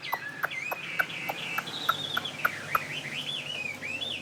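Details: Fighting Chinese hwamei, caged, of northwestern Vietnamese stock in Saigon, sings a continuous wavering whistled line that rises and falls, punctuated by regular sharp clicks roughly every third of a second over background hum.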